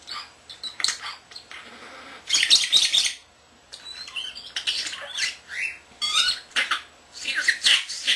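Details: Common starling kept as a pet, under a year old, talking, whistling and imitating camera beeps and barking and pet lovebirds and cockatiels: repeated bursts of harsh chatter, squeals and clicks with brief gaps.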